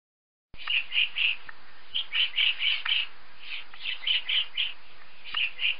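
A woodpecker gives sharp, high, even-pitched notes in quick runs of three or four, each run a second or so apart, over a faint hiss.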